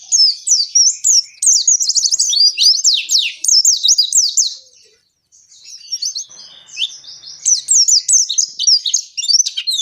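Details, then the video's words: Oriental white-eye giving a long, continuous ngalas song meant to prompt captive white-eyes to sing: rapid high, thin chirps and swooping whistled notes in dense bursts, with a short pause near the middle. "Suara Pleci Gacor Ngalas Panjang ini Yang bisa Bikin Plecimu Cepat Ngalas"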